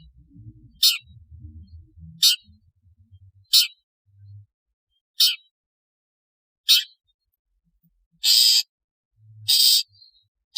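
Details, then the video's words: Long-tailed shrike calling as in the wild: harsh, scratchy high bursts repeated about every one and a half seconds, the last ones longer and louder, over a faint low hum. "Suara panggilan CENDET 🦜 SUARA ASLI CENDET seperti ALAM LIAR"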